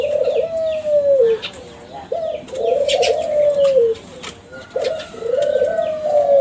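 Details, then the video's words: Spotted dove of the bred Kelantan strain, young bird of champion lineage, giving lure song: long husky coos that fall at the end, repeated roughly every two and a half seconds, with small birds chirping faintly. "SUARA DERKUKU KELANTAN TRAH JUARA PANCINGAN"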